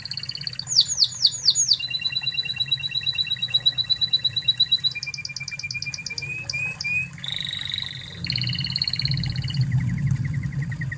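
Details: Spanish Timbrado canary from Spain recorded as a training tutor: sweeping upslurred notes, a thin steady high trill over a lower pulsed one, short rising slurs, then buzzy rolls at two pitches and a falling trill.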